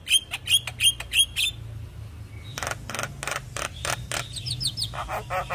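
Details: Young Javan myna kept for song tutoring, singing busily: sharp repeated whistled notes near the start, then a run of harsh clicking and rasping bursts mixed with short chirps; a low hum underneath.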